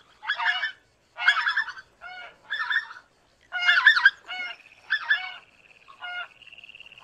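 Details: Greater white-fronted goose (Anser albifrons) call: a string of about nine harsh, high yelping honks at an uneven pace, some notes doubled, with a thin steady tone near the end.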